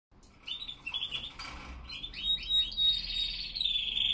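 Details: Spanish Timbrado canaries singing in the cold early morning at 5°C and 87% humidity, 07:46 am; broken bursts of high trills and rolling notes that build into a sustained metallic trill toward the end.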